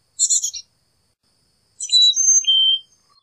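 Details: Carolina chickadee opening with a rough buzzy call burst, then, after a pause, a phrase of clear whistles that drop from high to lower pitch.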